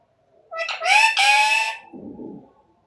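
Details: Talking parrot copying its owner's speech gives a strong, raspy, harmonic two-part utterance of about one and a half seconds, ending in a softer low murmur. A person coaxes it in Hindi before and after.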